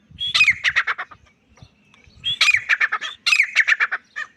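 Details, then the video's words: Grey francolin phrases in three loud bursts, each opening with a high squeal followed by several harsh descending notes, over a soft low rumbling background. "Most Powerful Voice of Grey Partridge | Francolin High Quality Sounds | Teetar Loud Awaz"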